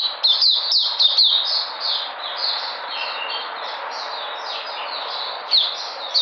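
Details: A white-eye recorded 13 February 2020, described as regaining energy, opens with a few crisp high notes. Soft, blurred high warbling follows, then one more sharp burst near the end.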